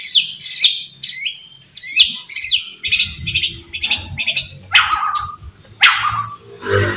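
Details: White-rumped shama singing hard with pointed song material to provoke rivals: rapid looping high notes, then stuttering buzzy bursts and two descending sweeps, over a faint low background rumble.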